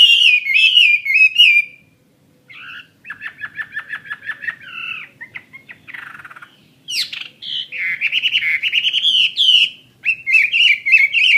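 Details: Caged Chinese hwamei of the fighting type sings loud warbled phrases, pauses, then gives a rapid chattering series of short notes before returning to bright, varied whistles and fast repeated looping notes.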